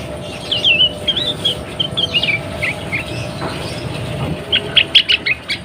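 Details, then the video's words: A female sooty-headed bulbul in breeding condition, calling to prompt males to sing, gives a rambling string of warbled, twisting notes, then a brisk cluster of sharp chirps near the end. "SUARA KUTILANG BETINA BIRAHI"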